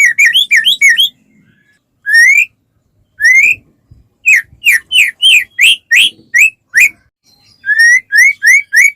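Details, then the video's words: White-rumped shama singing as a lure for other shamas: fast bursts of upswept whistles, some single rising notes with gaps, then a steady run of loud upslurred whistles repeated about twice a second. "suara burung murai batu gacor sangat cocok buat pancingan murai batu agar cepat bunyi ikut gacor"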